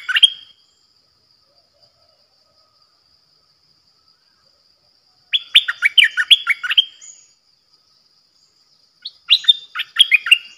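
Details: Decoy bulbul from a recording dated 8 May 2021, singing short bursts of liquid, warbling notes, one phrase at the start, another around the middle and a third near the end, with long silent gaps between.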